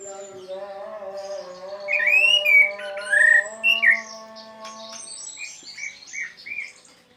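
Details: Orange-headed thrush in the 'teler' style, used to prompt non-singing orange-headed thrushes: slurred whistled phrases rising and falling around the middle of the clip, then short chirps, over a steady low tonal hum.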